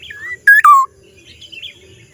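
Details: Strange call of a black-naped oriole: a slurred whistle followed by two loud, harsh, harmonic-rich notes that drop in pitch, then faint chirps from other small birds.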